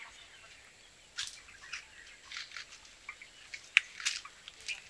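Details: Blue-capped rock thrush giving short, high, scratchy chip notes at irregular intervals, with one clear brief whistle among them, over a steady background hiss.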